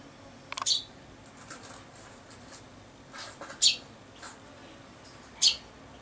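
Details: Common chaffinch, recorded 19 August 2013, gives three sharp, high, metallic call notes spaced a couple of seconds apart, with fainter softer notes between over a quiet background.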